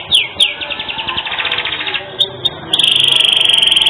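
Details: Canary singing energetically with a distinctive phrasing, offered as a master song for training other birds: sharp descending whistles, then a fast even trill of repeated notes, brief chips, and a long buzzy rattling phrase held to the end.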